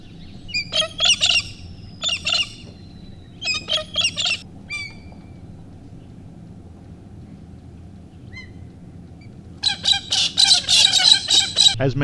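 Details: Rufous Songlark, likely a male, gives loud, scratchy, tumbling phrases in short bursts, then a longer rollicking run, over a steady low rumble. It is performing its mate-attracting display while flying from tree to tree around an outback campground at Farina, South Australia.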